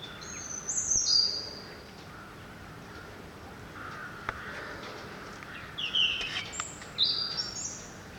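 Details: Unidentified songbird singing at dawn outside a window, a cheerful trilling singer: two bursts of high, bright twittering phrases, one near the start and one near the end, separated by a quieter stretch of faint background noise.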